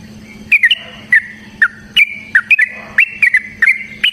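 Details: Sooty-headed bulbul song used as a lure to get other bulbuls singing: short bright whistled notes around upper-mid pitch, scattered irregularly with brief gaps, over a steady low hum.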